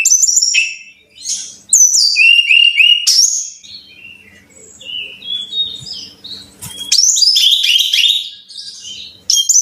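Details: Brown-chested jungle flycatcher song to prompt caged birds to sing: bright high whistles sliding down, short warbled phrases, softer notes in the middle, then a loud tumbling run of slurred whistles.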